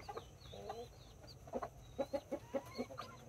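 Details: Two mother hens with nine chicks, mini and Brahma, in a backyard, 24 October 2024; a hen gives a run of six short, low clucks about a quarter second apart while chicks peep high and thin around her.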